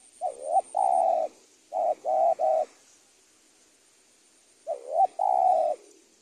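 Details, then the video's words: Spotted dove tutoring audio in the 'super penguku' style: a bending slurred note into a long coo, then a quick triple of short coos, a pause of two seconds, and the slurred-note-and-coo phrase again. "ajaran tekukur super penguku"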